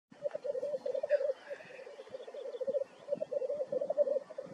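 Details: Black grouse in North Wales on 9 May 2024, giving a continuous low, dove-like bubbling in long rolling phrases with brief breaks, steady and mellow throughout.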